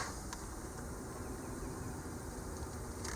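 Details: Steady broadband rushing noise like a passing vehicle or wind, with a few faint clicks and no animal sound.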